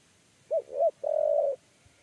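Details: Close spotted dove of the 'kuk 3' type, trapped with a trap cage. A single crisp phrase: two brief rounded coos followed by a longer even coo, with a quiet background.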